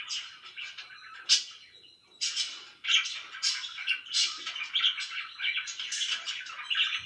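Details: Loud pet budgerigar chatter: quieter scratchy twitter at first, then from about two seconds a steady stream of buzzy warbles and chirps in quick bursts.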